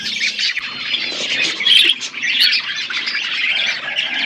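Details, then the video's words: Budgerigar flock feeding together, continuous high chattering and squawky chirps from many birds at once, busy and unbroken for the whole stretch. "Beautiful budgies flocks birds eating food"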